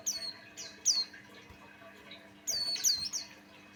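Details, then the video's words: Lure song of a Buxtoni white-eye: bright high chirps sweeping downward, two bursts separated by a quieter gap, a faint low hum in the background. "Suara Burung pleci Buxtoni pancingan Ampuh"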